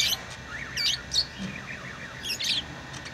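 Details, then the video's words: Tame pet lovebirds make softer twittering chirps: a few high squeaky notes and gently wavering whistled phrases over a constant low hum. "Love birds beautiful Love ❤️ | chirping sounds"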